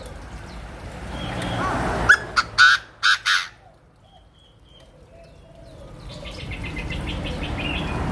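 A Chinese francolin gives a loud burst of four or five harsh, clipped notes in quick succession, then falls silent against a faint background hum.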